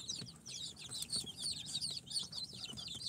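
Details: Newly hatched chicks, Sultan, Golden Sebright, Cochin and booted breeds, four days out of an incubator, peeping together in a dense chorus of high, short downward-sliding chirps, overlapping continuously with faint low knocks beneath.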